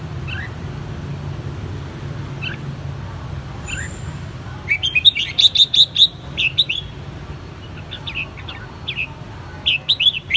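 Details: Red-whiskered bulbul kept in a cage since its white-cheeked juvenile stage: scattered soft notes at first, then lively bursts of sharp, chirpy, warbling whistles repeated rapidly through the second half, over a steady low hum.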